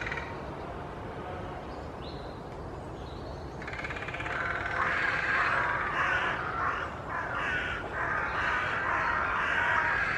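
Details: Carrion crows gathered in a large tree at Children's Wood, Hull, posturing and fanning tails in display without aggression; quiet at first, then a dense run of overlapping harsh caws from several birds over the last six seconds.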